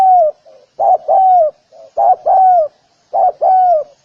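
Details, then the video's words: Spotted dove calling: low, mellow cooing phrases, each a short soft note followed by a louder double coo with a falling second part, repeated three times at a steady pace in quiet surroundings. "សម្លេងសត្វលលក យំលឺច្បាស់ល្អណាស់ 🐦🔊100% | Spotted Dove 🐦Call bird sounds"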